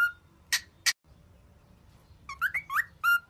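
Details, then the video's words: Cockatiel training song meant to cheer: a held whistle and two sharp chips, a second of near silence, then a quick rising whistled figure ending on a flat sustained note. "Canto de calopsita para Alegrar (Treinamento)"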